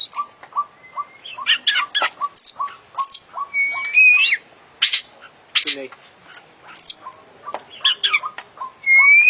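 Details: Champion oriental magpie-robin in full isian song, packed with imitations: loud sliding whistles, harsh squawky bursts and thin high notes, mixed with a regular train of short low pips repeating roughly every half second.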